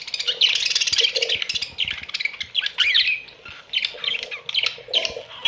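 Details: Australian budgerigars calling together in a colony, a dense stream of squawks, raspy chirps and warbled notes almost without pause.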